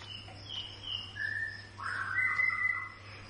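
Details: White-rumped shama giving hiccup-like calls repeated the whole morning: short high whistled notes followed by longer flat and slightly rising whistles, over a constant low hum.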